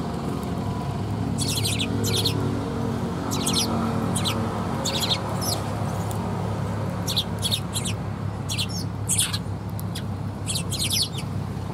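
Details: Several sparrows coming for food at a Tenmangu shrine, 2 November 2021: bursts of high, scratchy chirps in clusters of two or three, scattered throughout over a constant low rumbling hum.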